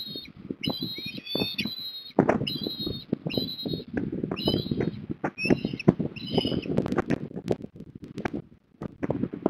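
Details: Osprey family at the nest in Port Lincoln, Australia, 3 December 2021: series of sharp whistled chirps repeated about every half second, then pausing, amid loud rustling, knocking and wing-flapping noises.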